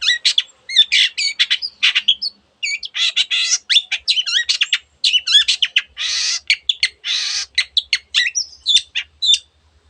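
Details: Long-tailed shrike singing an energetic, varied song full of borrowed sounds, kept as a master bird: dense runs of chips, wavering whistles and harsh buzzy rattles, brief gaps between phrases, continuous for ten seconds.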